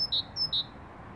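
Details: Great tit singing two quick two-note phrases, each a high thin note dropping to a clear lower whistle, over a quiet background.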